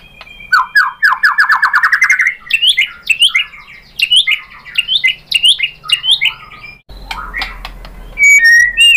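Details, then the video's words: White-rumped shama song used to provoke other shamas into answering: a rapid accelerating trill of rising notes, then loud repeated jerky whistled phrases and a closing sharp burst. "MURAI BATU jadi ikutan NYAUT GACOR BONGKAR MATERI ISIAN ¦ PANCINGAN MURAI ¦ SHAMA BIRD"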